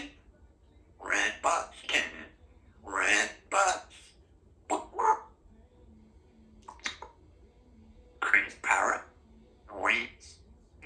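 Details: Symon, a talkative pet female Congo African grey parrot whose favourite phrases are "Give me a kiss" and "I love you", chatters in short, speech-like phrases of two or three syllables with brief pauses in a small room.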